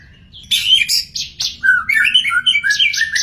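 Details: Free-living magpie-robin: sharp scratchy chips open the phrase, followed by clear sliding whistles and quick twittering notes that keep changing pitch for about three seconds.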